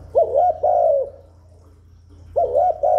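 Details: Spotted dove lure cooing aimed at wild doves and freshly kept birds: a warm two-part coo, a pause, then another phrase starting, soft and low-pitched over faint hum.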